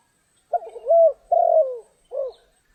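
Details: Coos of a spotted dove during trapping in stormy rain: a rough stuttered start, a louder drawn-out coo, a second falling coo and a brief final note, low and husky, background otherwise quiet.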